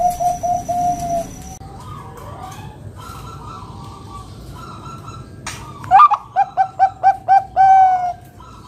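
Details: Zebra dove of the Bangkok type with a deep 'kung' voice, song used to lure other doves into singing: a short cooing phrase, a quiet stretch with background hum, then a loud run of seven clipped coos ending in a drawn-out note.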